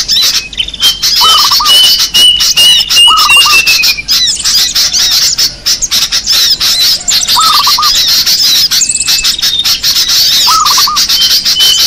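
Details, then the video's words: Many small birds heard on a lure track: continuous high scratchy chatter and squeaks, drawn-out thin whistles, and a brief lower rattling trill returning four times. "Suara pikat burung kecil paling ampuh"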